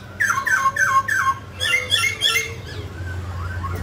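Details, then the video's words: Song from a mutant grey laughingthrush during its dance. It repeats quick falling whistled notes about four per second, then a few higher squawky notes, then softer calls fading out above a low droning hum. "Chú chim khứu xám tro đột biến hót múa cực đẳng cấp"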